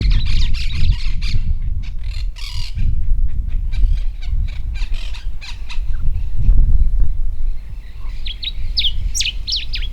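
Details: Common diuca finch singing its territorial song from a raised perch in algarrobo woodland in Mendoza, Argentina, during the breeding season. Short, clear whistled and slurred notes come at the start and again near the end, over heavy low rumbling wind noise.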